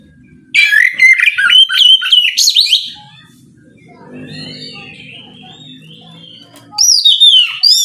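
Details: Oriental magpie-robin pouring out a loud ngeplong song in the morning to goad rivals into replying: a dense burst of rapid whistles and trills, a soft lull with a low hum, then another sharp descending whistled phrase.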